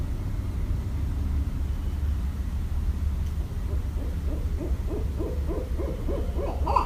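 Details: Barred owl from Westchester, New York, recorded 5.1.17: after quiet rumble, a fast run of rhythmic hoots swells toward the end, with a brief louder note at the close.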